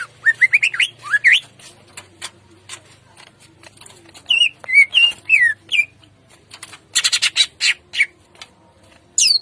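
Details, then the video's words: Greater green leafbird in the morning, singing in the lively ngentrok jambul style with rough 'tembakan kasar' bursts. High, rising whistled slurs alternate with quick clicking ticks and a dense harsh rattle near the end. "Pancingan Cucak Ijo Gacor Ngentrok Jambul 100% Efektif Tembakan Kasar Di Pagi Hari"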